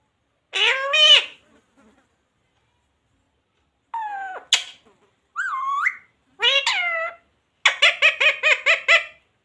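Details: Pet parrot talking, saying words such as jay shree ram and radhe radhe: several nasal, harmonic spoken-sounding bursts separated by pauses, ending in a quick run of about seven repeated clipped syllables.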